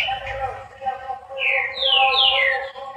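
An ultramarine grosbeak sings two or three clear, high whistled phrases that slur downward, over a steady low humming background.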